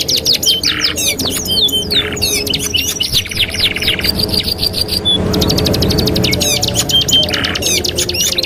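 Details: Canary singing as a training master song: rapid rolling trills, sweeping chirps and short buzzy bursts in tight sequences, the song growing louder and denser after the halfway point, with a low hum underneath.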